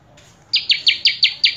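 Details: Common tailorbird (prenjak kepala merah) in gacor full isian song: after a faint start, six sharp, high, evenly spaced notes ring out in quick succession, each a loud attack that fades.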